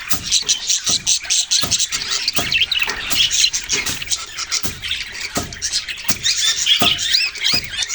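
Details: Budgerigars twitter and chirp continuously while sharp knocking or tapping sounds repeat irregularly, roughly every half second to second.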